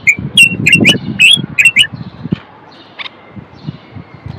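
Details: Moroccan common bulbul male singing to stimulate males and prepare females for mating: a quick chain of about seven chirpy whistled notes over low rumbling noise, then quieter with one faint later note.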